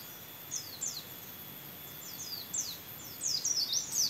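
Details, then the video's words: Caged white-eye singing a song filled with canary imitation; thin, very high chirps and quick downslurred whistles come in scattered bursts, growing denser and louder toward the end over a steady faint hiss. "Pleci isian kenari Pleci rasa kenari"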